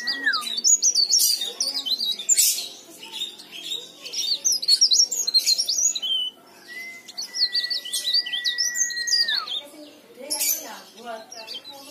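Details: Leaf warbler in energetic, nonstop song, used as a lure to make other birds sing: high, rapid twittering phrases with quick up-and-down notes, broken by short pauses, and a long steady whistled tone near the middle.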